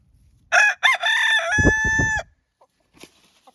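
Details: Araucana chicken from a household flock that uses different calls in different situations: two short harsh notes, then a drawn-out, nasal, tonal cry lasting over a second, ending in quiet.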